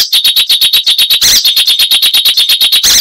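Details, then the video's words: Icterine warbler delivering a fast, even series of loud chattering notes, about eight per second, with a brief harsher burst in the middle. "Icterine Warbler (Hippolais icterina)"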